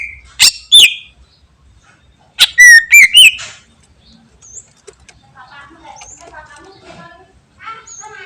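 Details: Greater green leafbird song: loud sharp whistled notes and rising-falling slurred phrases around the start and middle, followed by softer rapid twittering and chattering fragments, some buzzy, with brief quiet gaps.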